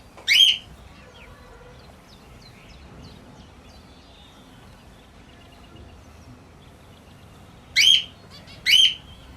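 A sun conure gives three loud, harsh, high chirps, one near the start and two close together near the end, with faint twittering of other small birds between.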